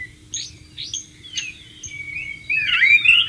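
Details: Shama recorded in the wild near flowing water: a few short, separate high chirped notes, then a quick rising run of bright, sliding whistles at the close, with a low background hum.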